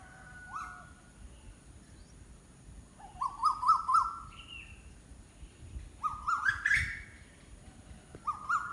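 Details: Wild bird calling in short phrases of quick stuttered notes, each phrase rising slightly, spaced a few seconds apart over low background rumble.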